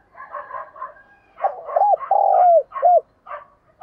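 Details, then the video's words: Spotted dove decoy cooing: softer, chattering bird notes open the clip, then one loud, low coo phrase with hooked short notes, a long level coo and a curt final note, followed by more faint calls. "Tiếng cu gáy thúc gù và gáy gọi giọng nhạy bổi"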